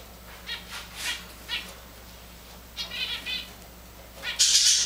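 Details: Tamed Java sparrow kept with grey and white Java finches; scattered short chirps and a brief run of quick notes, ending in a loud burst of rustling noise.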